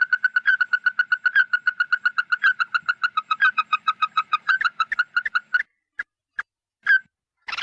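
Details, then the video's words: Red-eyed bird calling the flock, played as a lure: a long steady run of loud, ringing pulsed notes, about five per second, followed by a few isolated whistled notes with pauses between them. "Tiếng Chim Mắt Đỏ Gọi Bầy – Kêu To"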